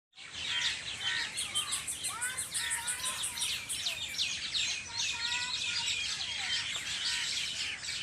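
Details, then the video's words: Many birds singing together on a farm in the evening, a dense, continuous chorus of high chirps, twitters and quick trills, with some clear whistled notes lower down, steady throughout. "Birds singing in my farm at evning شام کے وقت پرندوں کی چہچہاٹ میرے فارم پے"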